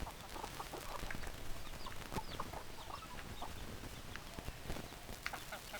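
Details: A group of hens keeps up irregular short clucks and a few thin upward squeaks over a low, rumbling background.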